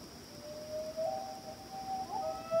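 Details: A pair of loons calling to each other across Washington Pond, Maine, at night: long, mournful, sustained notes that waver and step slightly upward in pitch, over a steady high hiss.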